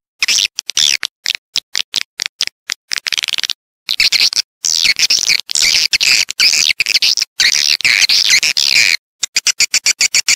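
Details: Swiftlet calls used to draw swiftlets into a bird house for roosting and nesting: dense, high, buzzy twittering chirps in rapid pulses, with short silent breaks between bursts.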